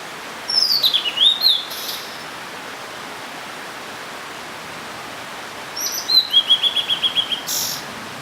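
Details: Blue-and-white flycatcher singing two clear phrases: high descending whistled notes followed by a run of quick repeated short notes, with a pause between, over a steady rushing background like flowing water.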